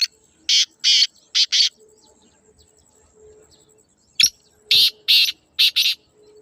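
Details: Two harsh rasping phrases from a black francolin, each built of four scratchy notes: two spaced, then a tight pair. A sharp click and a faint low hum lie between them.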